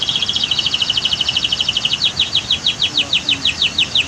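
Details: High canary song for masteran training: a very fast even trill of bright notes, then slower, evenly spaced falling syllables, all above a continuous background of flowing water from a waterfall and dam.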